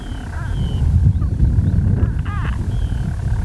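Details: European storm petrel calling unseen from nest burrows on Skokholm, Pembrokeshire, Wales, in daytime on 5 June 2013: a low continuous churring purr with one sharp hiccup-like break, while faint high bird notes drift above.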